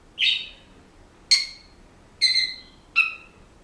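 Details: Senegal parrot kept indoors as a pet, which makes various household noises and whistles: four loud, harsh, rasping chirps with ringing overtones, spaced roughly a second apart, in a quiet room.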